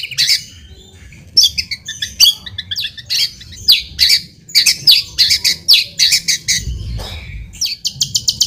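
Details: White-rumped shama lure song meant to provoke a reply: scattered harsh, squawky, high notes in short bursts separated by brief pauses, with a faint low hum beneath.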